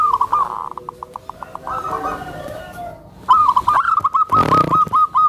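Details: Gentle call of a tame zebra dove used to lure others of its kind and ease new birds; a softer trill of quick notes, then a loud, crisp series of clipped coos interrupted by a short burst of noise.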